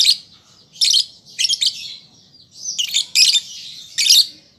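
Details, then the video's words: A juvenile lovebird practising its voice, meant as a calling lure: five or six separate harsh, high squeaky bursts, some slurred into short buzzy smears, spaced under a second apart. "Pancingan Lovebird Paud Belajar Bunyi Ampuh Langsung Nyaut"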